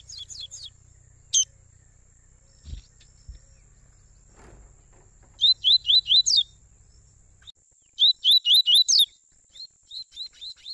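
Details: Double-collared seedeater father and son giving warm-up song for black and brown seedeaters: short chip groups, low rumbling in the first half, then two bursts of five rapid slurred whistles several seconds apart, trailing into softer repeated notes; steady thin high tone.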